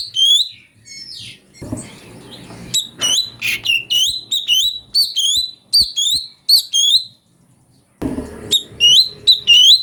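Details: Flavescent bulbul (cucak cungko) song variations used as a master recording for training magpie-robins: bright upslurred whistled notes with harmonic overtones, delivered in quick repeated bursts, a short silent gap, then more notes over faint low rumble.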